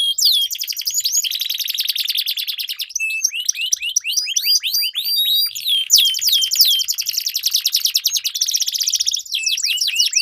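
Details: Canary duel with long rolling song, played to coax silent canaries into singing: fast buzzy trills and rattling rolls alternating with quick swept whistles, two birds overlapping almost continuously.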